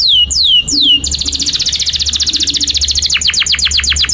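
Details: Canary in a 'cuit cuit nembak' style long song for teaching young canaries: three clear falling whistles, a rapid high rattling trill of many notes, then quicker descending chirps. A low hum is in the background.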